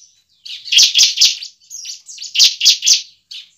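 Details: Bar-winged prinia challenge song used to coax a bird into singing: two short clusters of three harsh, high, clipped notes each, with silence between.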